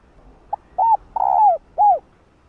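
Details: Female spotted dove cooing to stimulate males to call: one phrase of a short clipped note, an arched coo, a long drawn coo falling at the end, and a final arched coo, all mellow and hollow.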